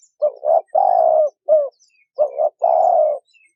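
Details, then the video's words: Male and female wild spotted doves calling to stir a decoy bird. Two coo phrases, each a doubled rising note and a long sustained hoarse note, with faint high chirps from other birds. "Tiếng chim cu gáy trống mái thổ kích bổi hay mới"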